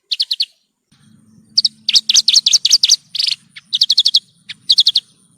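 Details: Horsfield's bush lark song for masteran tutoring of caged birds: clusters of quick, high chirps in groups of three to six, with one buzzy note in the middle and a faint low hum behind.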